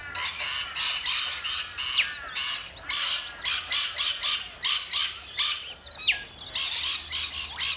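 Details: Rainbow lorikeets in Australia give harsh, broadband screeches in rapid bursts, several per second, loud and continuous with brief gaps, suggesting a flock calling together.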